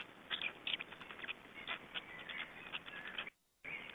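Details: Black storks in Estonia at the nest during a feeding, recorded 20 May 2012. Dense, scratchy chattering bursts and clicks in quick succession, with a brief dropout near the end.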